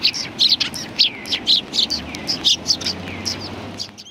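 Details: Several sparrows on a bench at a Tenmangu shrine, January 21 2020, chirping busily with overlapping quick high notes, some with descending tails, over a low background rumble.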